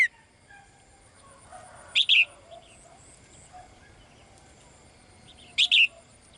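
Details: A female bird kept in a cage calls the male with two paired high chirps several seconds apart, over low background murmur.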